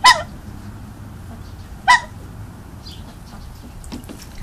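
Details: A sweet, happy goose utters two brief, loud, harsh honks about two seconds apart, followed by faint scattered background sounds.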